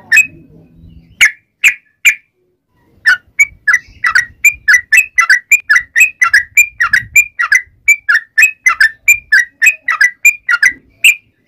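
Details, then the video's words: Yellow-vented bulbul in full, lively voice calling its companions: a few spaced whistled notes, then a long run of quick alternating high and lower bubbly notes, about two to three per second. "trucukan gacor MEMANGGIL TEMANNYA"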